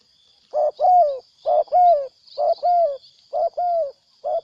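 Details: Wild spotted dove that arrived to fight and then left: deep, soft cooing in a steady rhythm, each phrase a short coo run into a longer rounded note, repeated about once a second over a thin high hum.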